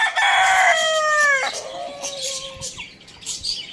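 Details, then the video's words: Rooster crowing in the morning: one loud, harmonic-rich crow held about one and a half seconds, dropping at its end into a softer drawn-out trailing note, with faint chirps of small birds in the background. "Rooster crowing sound in the morning"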